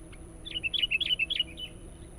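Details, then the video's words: Sooty-headed bulbul song meant to lure wild birds: one short, lively phrase of about ten quick, bubbling whistled notes lasting just over a second, over a quiet background with a thin high whine. "SUARA BURUNG KUTILANG PIKAT GACOR NGOTOT"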